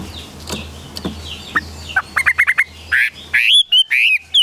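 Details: A captive Chinese hwamei, kept in Vietnam. Clicks and background noise give way to a rapid series of short notes, then louder slurred whistles that rise and fall.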